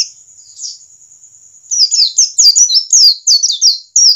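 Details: Standard wild forest-type white-eye song, played to get birds to start singing: a thin, steady high ringing tone opens, then lively high whistled phrases of rapid descending slurs tumble out back to back.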